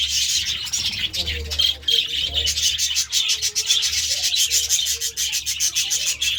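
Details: Budgerigars feeding on vegetables; dense, scratchy high-pitched chatter runs without pause, with quick clicking and rustling sounds and faint lower squeaks mixed in.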